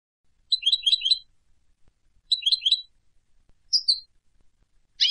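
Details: Goldfinch from Istanbul, Turkey, giving short clusters of three or four quick liquid chirps, repeated after pauses of about a second, then a thin rising note and a sharp click.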